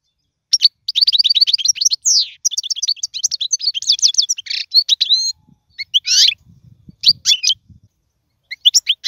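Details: Song of a European goldfinch, played to teach young birds: long runs of quick twittering trills and sharp descending slurs, then scattered bright chirps after a pause.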